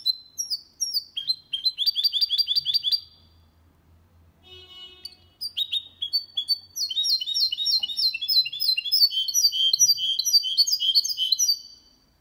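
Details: Singing goldfinch × canary hybrid, recorded in 2022 to encourage males to sing and let young birds memorise the song; fast metallic twittering phrases and rolling high trills in long bursts, separated by a brief pause with a faint clink.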